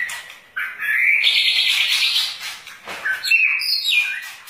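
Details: White-rumped shama with a long tail pouring out song: a rising whistle leads into a long harsh, buzzy trill, followed by a break and then sliding whistled notes dropping in pitch.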